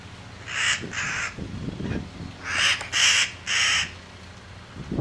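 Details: About 20 wild Blue-crowned conures (owner believes) feeding on ripe loquat fruit in a Central Florida backyard tree in winter give harsh, grating screeches, five in quick half-second bursts, over a low background rumble; a hawk later scared them off.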